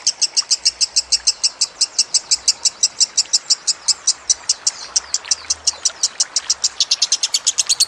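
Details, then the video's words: Lovebird in a training recording mixed with trickling water: a long, fast run of sharp, high chattering notes, evenly repeated about five per second for the whole stretch, over a soft watery hiss. "Masteran Lovebird Kusumo + Gemercik Air"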